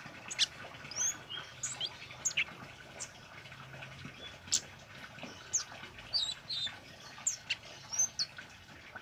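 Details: Orange-headed thrush singing vigorously, recorded as training material for caged birds: dense, high-pitched chips, clicks and thin whistled notes fired in rapid, irregular bursts throughout.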